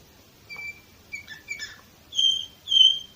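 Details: Orpheus canary recorded in 2018 in Varna, Bulgaria, singing a short run of clear whistled notes, some flat and some sliding, ending in two louder, sustained trilled whistles; quiet indoor background.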